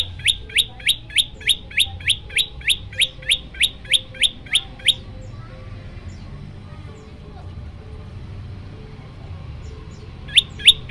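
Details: Olive-backed tailorbird, a caged bird in lively song, giving the "shot" variation style used as training material for other birds; about twenty sharp, high, clipped notes in rapid regular series, a pause with a steady faint hum, then more notes.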